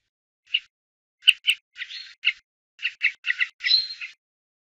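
A Brambling gives a scratchy run of about ten short, harsh chirps over four seconds, ending in a drawn-out buzzy note, with no other sounds.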